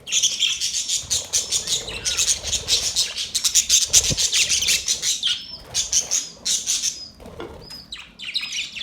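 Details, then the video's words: Group of budgies chirping: a steady stream of rapid, scratchy twitters and squawks, thinning in the second half to separate bursts with short whistled upslurred notes and a faint flutter. "Budgies chirping sounds"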